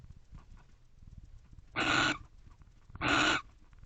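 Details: Pair of wild barn owls in a nest box after midnight on 30 November 2023, guarding: two rasping, breathy screeches about a second apart, over a steady low hum and faint clicks.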